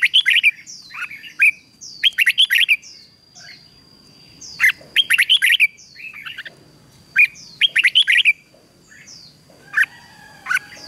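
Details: Red-whiskered bulbul in morning song training, delivering loud clusters of bright whistled and chirpy notes in bursts every two to three seconds, each burst of four to six quick notes, with quiet gaps between.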